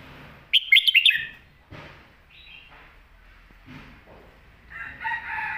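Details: Caged Red-whiskered bulbul gives a fast, complete song phrase meant for tutoring young birds: a quick cluster of loud chirpy whistles, followed by softer scattered chirps and a faint, drawn-out distant call near the end.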